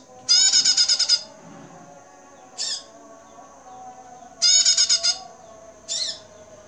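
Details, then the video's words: A female bar-winged prinia gives two quick bursts of about eight high, scratchy notes, each followed by a single sharp note, over a faint low hum. "suara burung prenjak betina"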